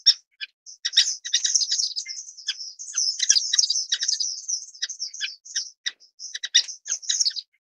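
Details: Orange-cheeked waxbill (Estrilda melpoda) producing a long run of busy, high-pitched twittering, scattered single chirps at the start and end framing a dense central chatter.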